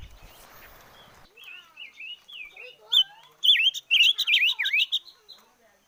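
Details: Chim ngũ sắc singing after a short burst of noise: softer wavering whistles build into a loud, fast cluster of warbled, swooping notes, then fade out.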